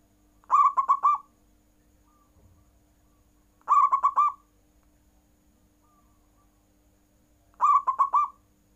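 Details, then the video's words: Zebra dove kept as a cage bird, cooing in full to provoke rival birds into calling; short clipped bursts of rapid purring notes, roughly every three and a half seconds, over a quiet steady hum. "Perkutut nggayer full membuat lawan ikut bunyi"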